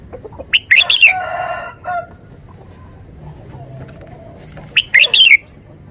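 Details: Caged Thai red-whiskered bulbul used as a decoy, giving two quick bursts of chirpy whistled notes several seconds apart, the first trailing into a lower, nasal drawn-out call.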